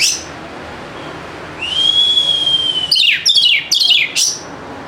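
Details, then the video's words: White-rumped shama used to coax silent birds to sing: a long clear level whistle followed by several rapid, scratchy downslurred notes. "PANCINGAN AMPUH UNTUK PIKAT KACER YANG MALAS BUNYI SEKETIKA GACOR"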